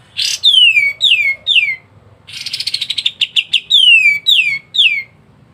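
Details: Kapas tembak white-eye in full gacor song, loud downward-sweeping whistles repeated several times, broken by a buzzy rapid rattle of quick notes in the middle.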